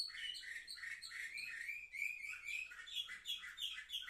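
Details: Young seven-month-old canaries, recorded 10 November 2023, produce rapid repeated chirps merging into a smooth rising whistled trill, then resume quick bright twittering.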